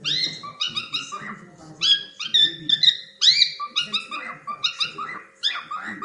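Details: Playful cockatiels produce dense, uneven bursts of chirpy whistled notes, about two per second, some sweeping upward into clear whistles, with a low murmuring background and a faint steady hum.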